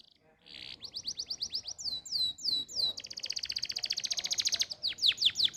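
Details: Canary tutor song for making canaries sing: rapid trills of rising sweeps, then a dense fast-repeated chattering roll of short notes, ending in loud downslurred notes; faint background hum.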